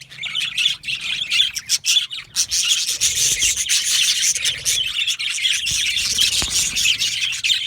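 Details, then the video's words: Aviary colony of yellow male budgerigars, unbroken rasping, scratchy chatter with quick chirps layered on top, many birds calling at once. "Beautiful Yellow Male Budgies Birds Chirping sounds"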